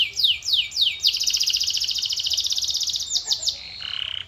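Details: A few sweeping whistles from a canary lead into a long rapid rattling trill, a couple of slower slurs and a low harsh burst.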